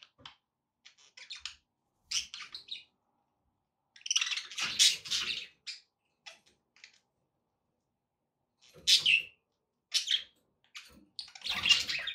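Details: Pet budgerigars chattering indoors, played to encourage a pet parrot to eat and sing: bursts of scratchy, buzzy warbling and short chirps separated by pauses of silence.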